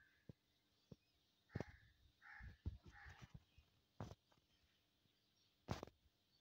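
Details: Crow calling outdoors in nature, faint and distant: three short, rough caws close together in the middle, surrounded by sharp knocks and clicks against a quiet background.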